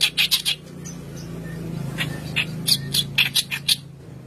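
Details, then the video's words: White-browed kerak basi singing as a lure for young birds: short clusters of scratchy notes at the start and end, separated by a quieter stretch, with a steady low hum beneath. "Keras Basi Alis Putih Gacor Pancingan Bahan"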